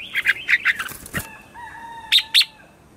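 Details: Red-whiskered bulbul singing a lively morning 'chè' song as a decoy to call wild birds: a rapid string of bright chirps, a sharp clattering knock, a steady thin tone, then two loud ringing notes.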